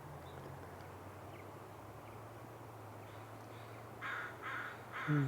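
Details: American crow at an estuary with mudflats at low tide in breeding season gives three harsh, nasal caws in quick succession, over a steady low engine hum and faint background noise.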